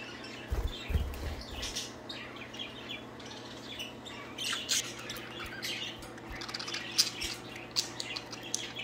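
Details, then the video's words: Budgies kept as pets, playing and singing while one flirts with another; a continuous, busy mix of soft chirps and scratchy warbling notes, with a few low thumps and a constant low hum behind. "Budgies playing and singing."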